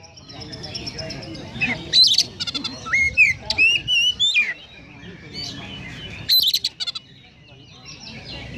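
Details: Oriental magpie-robin in konslet-style song with Eurasian tree sparrow imitations, heard over a steady background hiss and low noise: scattered chirps, short trills and a few wavering whistles.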